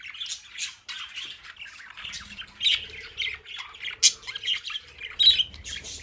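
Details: Budgerigars playing in their aviary play area, giving a busy stream of bright, scratchy chirps and squawks with several birds calling over one another; a low hum runs underneath in parts.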